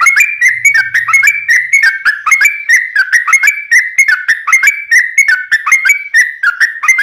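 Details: Yellow-vented bulbul giving a long, unbroken song used for tutoring cage birds and luring wild ones: a steady stream of quick liquid whistles, each note dipping and rising, with no pause.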